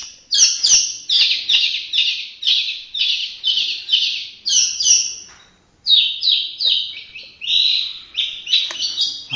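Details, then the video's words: White-rumped shama from Indonesia delivering a long rapid series of high, slurred whistles with buzzy edges, one brief pause midway before the phrases resume. "MURAI BATU INDONESIA Burung predator cerdas bersuara emas"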